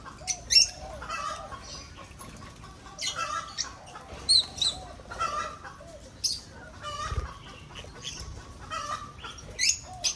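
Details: Aviary-kept breeding lovebirds call in irregular shrill bursts, roughly every few seconds, sharp piercing squeaks alternating with softer chirps over steady background chatter.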